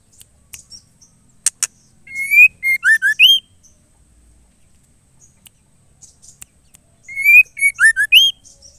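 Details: Female white-rumped shama calling a male, giving a bright whistled phrase of rising note, brief chirps and low falling slurs, heard twice with a long silent gap and scattered ticks.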